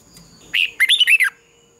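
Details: Single short phrase from a red-whiskered bulbul singing competitively at dawn for training: a lively burst of four or five warbled, slurred whistles over roughly three quarters of a second.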